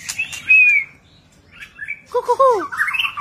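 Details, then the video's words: White-rumped shama in display: a pure upslurred whistle, a pause, then soft phrases leading into a burst of descending whistled notes and warbling chatter, with light clicks and rustling. "ลีลา นกบินหลาดง MURAI BATU GACOR White-rumped shama Display kích chòe lửa hót nhiều giọng บินหลาดง"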